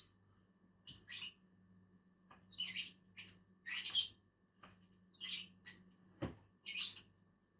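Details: Two lovebirds feeding together in a tree give shrill, squeaky high chirps in short irregular bursts, some doubled, separated by pauses, over a steady low electrical hum.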